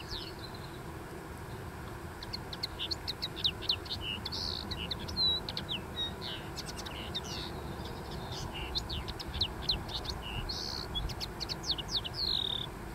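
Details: Dune-dwelling common linnet giving a long, continuous twittering song of rapid varied chirps and short trills, with a constant low rumble underneath.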